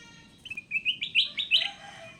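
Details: Short phrase from a captive, wild-caught Sooty-headed bulbul: a few whistled notes stepping upward into sharper, louder chirps, closing with a soft lower tone.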